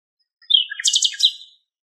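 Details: Common nightingale recorded far off in Greek countryside: one brisk phrase of rising, slurred notes and a fast pulsed trill, about one second long, against quiet surroundings.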